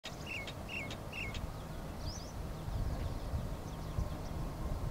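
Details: Brahminy starling recorded 16 June 2023 gives three quick, slurred mid-pitched notes about half a second apart, then a few faint higher chirps, over steady low traffic rumble.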